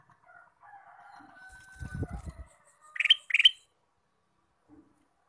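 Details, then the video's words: Male Ruby-throated bulbul that sings all day: two loud, bright chirping notes in quick succession, preceded by a faint, drawn-out distant call and some low rumbling thuds. "Kicau Burung Kutilang Emas: Gacor Sepanjang hari"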